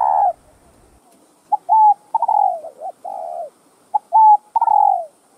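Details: Spotted dove (cu gáy) cooing, with call, thúc and gù styles of song: a falling coo, then two phrases of clipped notes followed by long hollow falling coos, delivered clearly against near silence.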